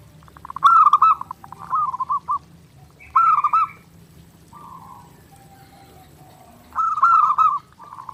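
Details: Perkutut, the zebra dove, singing lively and nonstop for a daily training master: bubbling, pulsed cooing phrases about a second long, some with a brief higher note, separated by quiet gaps and a faint background hum.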